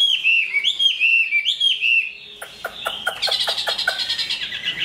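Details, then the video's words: Chinese hwamei of large frame, good at song and combat, growing new plumage. Smooth looping whistles open the phrase, then give way to a rapid clicking, buzzy trill of dense notes. "Họa mi bộ to hót tốt đấu tốt"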